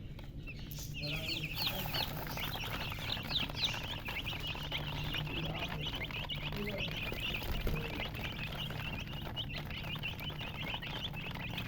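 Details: Baby chicken chicks chirping: many overlapping short high peeps, some rising and some falling, packed closely together over a constant low hum, with a brief voice-like sound near the start.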